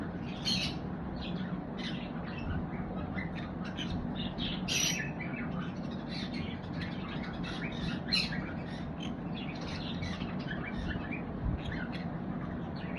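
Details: Pet conure parrot chattering with a rapid run of short, harsh chirps and squawks, irregular and nearly continuous, some louder screechy bursts standing out, against a constant low background hum.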